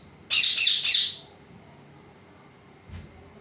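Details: Parrot, recorded secretly so it would not see the recorder, uttering three quick harsh squawks in a row, followed by quiet and a faint low knock.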